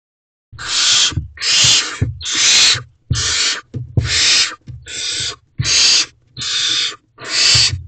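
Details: Barn owl owlets, four together in a nest box at night, 4:33 am: repeated harsh broadband hissing screeches, each about half a second long, coming roughly every second with short gaps between them.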